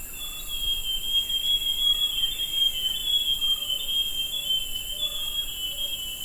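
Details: Forest scrub robin, 20 August, singing without a break: wandering high whistles that rise and fall, with scattered soft lower notes and a steady shrill insect chorus behind.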